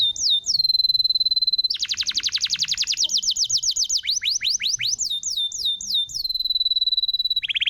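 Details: Canary song played to coax silent canaries back into song: long pure steady whistles broken by a rapid rattling trill and quick falling chirps, then another held whistle.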